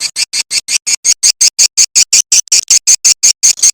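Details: Swiftlet calls played as a lure sound for swiftlet farming in Indonesia: a fast, even run of high, buzzy chirps, about three a second, with nothing else heard.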